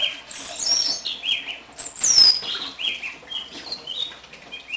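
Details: Captive one-year-old house finch, taken from the nest as a chick and kept caged, singing a loud, fast warbled run of slurred notes with some high, sharp swept whistles. A young Brown-backed Solitaire warbles in the background.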